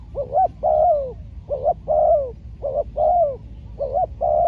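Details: Trained spotted dove decoy in a trapping session, calling loudly: repeated phrases of a short rising coo and a longer descending croo, about four in succession with brief gaps, ending mid-phrase.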